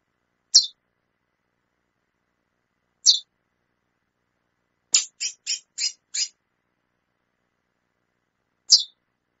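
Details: Female chestnut-bellied seed finch calling: sharp, high, clean chips, single notes spaced a few seconds apart with a quick burst of five chips in the middle, in a quiet room with no other sounds.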